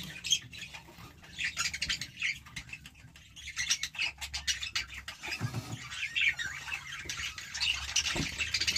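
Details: Nestling budgerigars in an opened nest box give thin, scratchy high chirps in uneven clusters, some overlapping, with a low background hum and occasional knocks.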